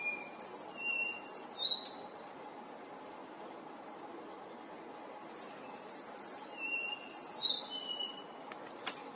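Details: Collared flycatcher singing two short phrases of high, thin whistled notes at varied pitches, some sliding and some level, with a pause of about three seconds between phrases over a steady low background hiss.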